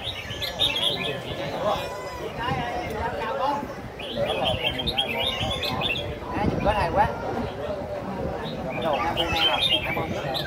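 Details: Caged red-whiskered bulbuls in the final round of a singing contest at Diên Khánh give rapid clusters of sharp, whistled notes, irregular bursts repeating through the recording, with people talking throughout.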